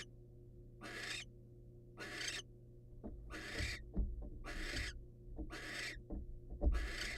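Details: Wild barn owl pair during a prey presentation by the male: six long, coarse hissing bursts spaced a little over a second apart, with faint clicks and soft thuds between them.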